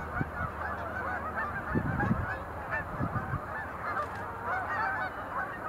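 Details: A continuous background of many rolling sandhill crane calls during display leaps, recorded November 2020 at Montezuma National Wildlife Refuge, with scattered low knocks and rumbles.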